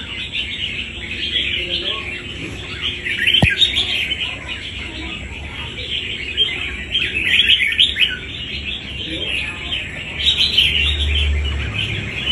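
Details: Wild-caught red-whiskered bulbul kept for fighting, pouring out long runs of rapid chirps and short whistled notes in surging bursts, with a single sharp click near the start.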